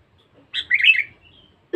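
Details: A single brief, bubbly slurred phrase from a sooty-headed bulbul described as very vocal and fierce, used for luring, ending in a thin trailing whistle.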